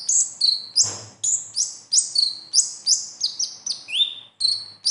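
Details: High, piercing sunbird notes in the besetan style, used as a lure for a konin that is not yet singing: quick repeated chirps, each sliding down in pitch, one dropping lower near the end, with a brief soft thump early on.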